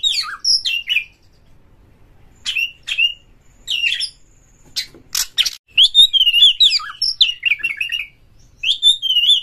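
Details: Oriental magpie-robin pouring out rapid song to rouse other magpie-robins into singing and opening their tails: dense warbled and trilled whistles, scratchy chip notes, one loud harsh burst mid-way, phrases about a second apart.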